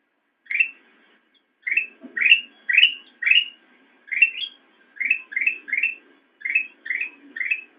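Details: Black-crested bulbul song intended for training caged songbirds: clipped, upward-sweeping whistles given singly or in quick pairs and triplets, with faint low rustling beneath.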